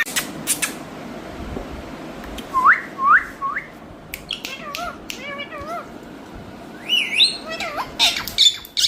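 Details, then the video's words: Indian rose-ringed parakeet learning to talk: three rising whistles, then wavy warbled syllables and a rising squawk sequence, scattered clicks throughout over quiet hum. "Indian Parrots Talking"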